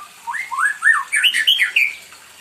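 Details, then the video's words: A spoiled pet white-rumped shama, singing nonstop as if wanting company, gives a loud series of rounded, arching whistled notes that climb in pitch step by step, then close with a few brighter, slurred phrases. "burung muraiku LG manja..gacor aja minta ditemenin..."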